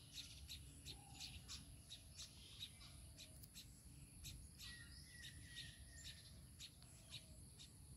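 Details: Baya weaver with its chicks: sharp, high chirps repeated irregularly, a few each second, with short lower whistles between, over a steady high insect whine and a low rumble.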